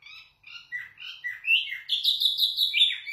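A zebra finch sings a quick run of nasal, buzzy notes that climb into brighter, tinny phrases, delivered about twice a second with no other sounds.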